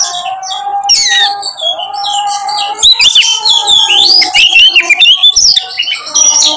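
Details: Kacer, or Oriental magpie-robin, in a lure recording for prompting birds to sing: a dense run of sweeping whistles, sharp chirps and warbled notes above a constant low hum.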